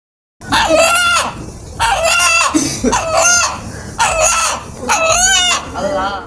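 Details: A pet rooster in Noagaon, Sonargaon, Narayanganj, gives short, harsh, harmonic crowing bursts in a steady run of five; locals say its crow sounds like 'Allah Allah', drawing crowds.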